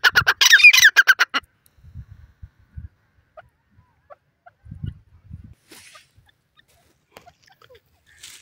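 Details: Francolin (teetar) giving a loud, harsh burst of about ten rapid, grating notes in just over a second, followed by quiet with faint low thumps and rustles.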